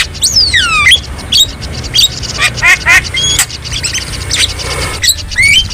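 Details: Javan myna in the wild, song for tutoring caged birds: swooping whistles falling sharply in pitch, then scattered chirps, short buzzy notes and a rising whistle, over faint low rumble.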